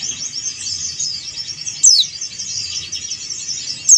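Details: Male Bali yellow-breasted white-eye (pleci dakun Bali) calling to a rival: dense, high, continuous twittering chatter broken by a sharp, loud, downward-sweeping whistle near the middle and another at the end.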